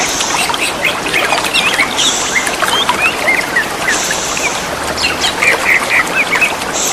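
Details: Greater green leafbirds answering each other in the wild beside running water: quick whistled slurred notes around the middle range, scattered through the clip over a steady broadband rush of flowing water.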